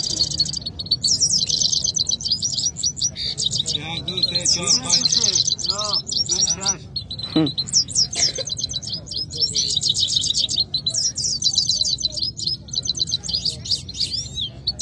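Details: Canaries in a singing contest at Quetta, matched head to head. A bright, fast warbling song runs almost continuously with rapid trills and rolling phrases, over low background murmur and a few short lower calls.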